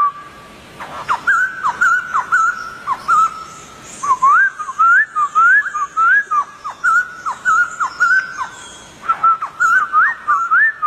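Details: White-crested Laughingthrush in the wild giving steady whistled song, mostly level and upward-curving notes with sharp downward flicks between them, repeated nearly twice a second over a faint hiss.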